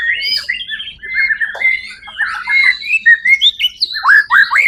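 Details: White-rumped shama singing at a songbird competition, the first-place champion on 1 October 2023: loud fluid whistles and slurred phrases, ending in a quick run of rising upslurred notes.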